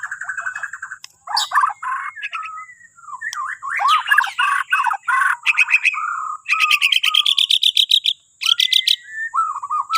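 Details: Bornean white-rumped shama singing in the morning to prompt other birds to sing: a rich, varied run of whistles, slurred phrases and rapid high trills, with brief pauses, over a steady thin high-pitched tone.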